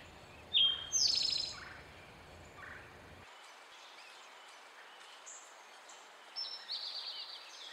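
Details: Male Eastern towhee singing "drink your tea": a crisp upslurred note followed by a fast ringing trill, with softer distant bird notes later.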